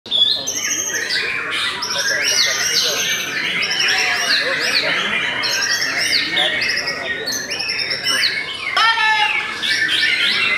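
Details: White-rumped shama of the Belanda type, described as stable and giving 'cerr' phrases, sings a dense, unbroken stream of varied whistles and chattering notes, with a rapid descending burst of notes near the end.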